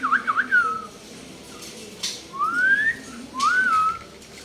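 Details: Common hill myna, likely kept as a pet, mimicking: a quick wavering whistled phrase, then two long rising slurred whistles and a falling one, with faint clicks and a low background hum.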